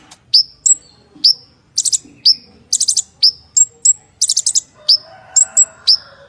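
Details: Konin, the purple-throated sunbird, singing a rich 'gacor full isian' song meant as a lure for silent konin. Thin piercing whistles dropping in pitch mix with bursts of fast buzzy notes, roughly one per second. A faint low hum enters near the end.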